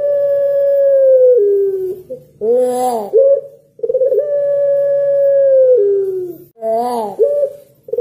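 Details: Puter pelung dove giving long calls meant to prompt other doves to answer: a steady, drawn-out low tone held about 1.5 seconds that steps down at the end, then a harsher, wavering burst, repeated twice.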